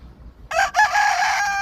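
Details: Crowing rooster, a loud raspy crow starting abruptly, briefly broken, then held harsh and strong until the end.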